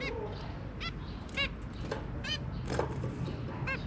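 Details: Pair of zebra finches with three babies, dated 23 January 2022: about six separate short honking beeps, rich in harmonics, scattered across four seconds over low rumbling noise.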